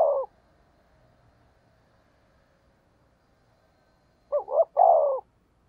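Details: Spotted dove kept as a decoy to attract wild doves gives the tail of one coo, a long quiet pause, then a single full hollow phrase of two quick notes and a drawn-out coo.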